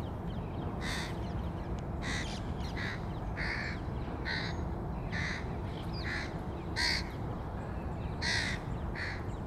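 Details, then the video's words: Crow in 2022 while feeding its young: harsh, hoarse caws repeated roughly once a second, about ten in a row, over a steady low rumble of background noise. "Corneille / Crow Feeding the 2022 young"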